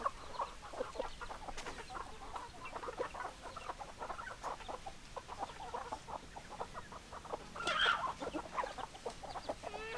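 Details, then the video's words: Hens cluck in a dense chatter of short notes, with one louder, more drawn-out call standing out toward the end. "Chicken Sounds Noises Hens Clucking Roosters Crowing"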